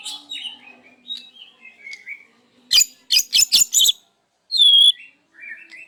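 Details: Caged white-rumped shama singing loudly in the morning, mixing in mimicked phrases: soft varied whistles, then a burst of five loud sharp strokes and a clear rising whistle, with brief pauses between phrases.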